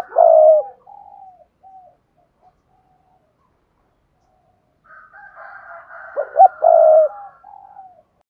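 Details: Thúc gù cooing of a spotted dove, sung vigorously and suited to luring wild doves. A strong low coo starts, soft trailing notes and a long pause follow, then hooted notes build into a second prolonged coo.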